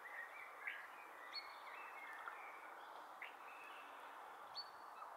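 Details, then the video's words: Fernbird (mātātā) calling at Matuku Link: short, thin, sharp notes scattered through a few seconds, some with quick upward flicks, set against a steady hiss of background noise. "Fernbird/Mātātā calling"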